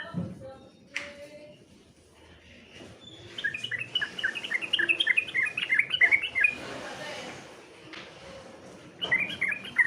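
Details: Sooty-headed bulbul competition song: a dense, fast chattering run of bright, chirpy whistled notes lasting about three seconds, then quiet, and another short burst at the end; faint background noise.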